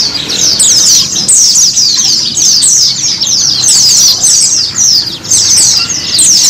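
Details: Continuous white-eye singing intended as therapy so kept birds start ngiriwik and ngalas singing; shrill, high-pitched twittering in rapid downslurred bursts, packed closely together with only brief dips in loudness.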